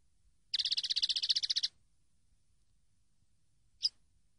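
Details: Common linnet song from a training recording: a rapid, buzzy trill of closely packed notes lasting just over a second. A short pause follows, then a single sharp chip, all against a quiet background.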